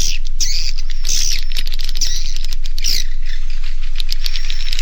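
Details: Edible-nest swiftlet roosting call, used in swiftlet farming to get young birds to stay overnight: rasping, chattering bursts of high buzzy notes about once a second over steady rapid clicks.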